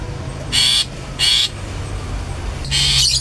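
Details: Long-tailed shrike giving its 'toet toet' call, used to provoke other shrikes into full song: three harsh, buzzy squawks, each about a third of a second, spaced roughly half a second to a second apart, over low background hum.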